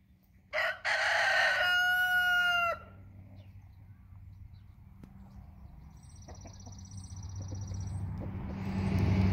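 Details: Rooster once kept on a farm, crowing: one loud harmonic-rich crow lasting about two seconds, rising then held level before cutting off, followed by quiet background hum and a faint high whine, with rumbling noise building toward the end.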